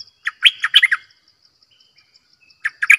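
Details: ['Caged decoy bulbul delivering two quick bursts of bubbly, warbled notes separated by a pause with a faint steady whistle, over a thin pulsed high buzz in the background.']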